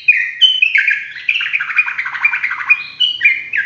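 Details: Sooty-headed bulbul in full, lively song, described as rapid rolling (ropel) singing for use as a master tutor: a dense run of whistled, warbling notes sliding between mid and high pitch, with brief bright upward flicks, loud and continuous.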